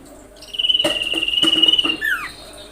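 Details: Common iora lure call to provoke rivals: a steady, rapid high trill lasting about a second and a half, finished by a sharp descending slur.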